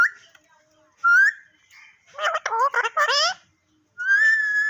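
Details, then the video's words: Parrot mixes brief rising whistles with a burst of chattering, speech-like syllables, then ends on a long steady whistle. "Tota Boltay Huay Kesa Lag Raha Hai _Totay Ke Awaz"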